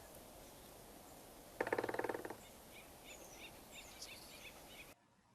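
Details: Acorn woodpecker on an acoustic recorder monitoring wildlife after California megafires: a harsh, nasal chatter of about ten rapid notes in under a second, then faint high chirps from another small bird over steady hiss.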